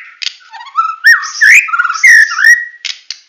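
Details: White-rumped shama of the Medan type in full tembakan song: rich whistled notes sliding up and down, swooping phrases broken by sharp clicks and buzzy bursts, with loud and soft passages alternating over about three seconds.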